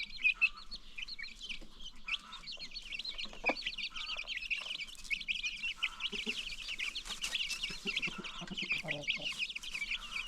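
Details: Many baby chicks peep in a dense, continuous high chorus on a free-range chicken farm, with soft lower clucking from adult hens now and then.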